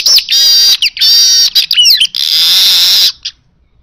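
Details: Baya weaver in full song: short whistled slurs lead into long, sizzling buzzy trills at high pitch, broken by brief gaps and ending in a sustained wheezy hiss before falling silent.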